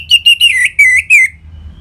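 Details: Orange-headed thrush singing ngeplong style to prompt caged birds: five clear, strong whistled notes in quick succession, slightly slurred and drifting lower in pitch, over barely more than a second.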